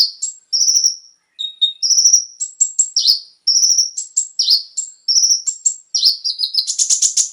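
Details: Brown-throated sunbird (konin) lure song to set caged birds singing: a varied stream of high whistled notes, short level whistles and falling chips, closing with a dense buzzy rattle.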